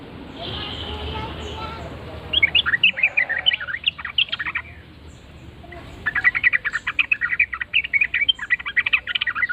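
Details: Yellow-vented bulbul answering a lure call with loud, lively song: after a soft murmur, two bursts of quick bubbly, chattering notes, the first near two seconds and the second from about six seconds to the end.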